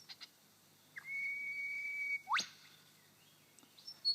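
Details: A male superb lyrebird on his dancing mound in Sherbrooke Forest Park imitates a whipbird: a long, steady, high whistle held for about a second, snapped off by a sharp, rising whip-crack; faint chips follow.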